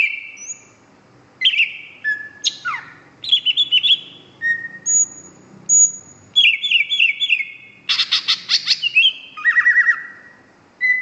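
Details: Champion competition greater green leafbird from 2014 pours out a loud, varied song: clear whistles, steep downward slides, buzzy rattling trills and bright high notes in rapid succession, clean background.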